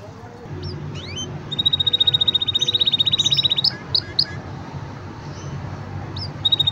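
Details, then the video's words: Green canary song: scattered high chirps, then a long even buzzy trill on one high pitch, followed by a few sharp notes and soft background hum. "Green canary bird singing"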